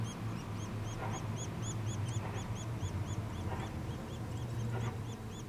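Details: Begging chicks of Nuttall's woodpecker during feeding. They give a rapid, even series of thin, high, down-curving squeaks at about three per second over a constant low hum.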